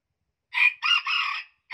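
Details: A hybrid junglefowl from Central Vietnam and the Central Highlands, said to have the highest crow there, gives a clean three-part crow: a sharp first note, then a longer two-part phrase. A second crow begins at the end.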